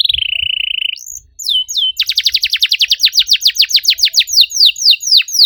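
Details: Canary song opening with a held, level buzzy trill, a short pause and rising whistles, then a long run of rapid downward-sweeping notes repeated about four times a second, sharp and high.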